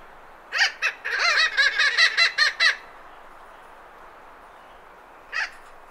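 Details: Thick-billed parrot recorded in Arizona, calling in a quick run of about eight harsh, nasal notes with a ringing tone, then one more call after a silence of several seconds, over faint wind noise.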